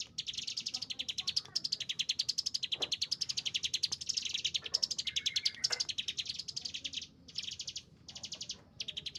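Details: Chinese hwamei in agitated song, long streams of fast repeated high notes in undulating phrases, ending in shorter bursts separated by brief silences.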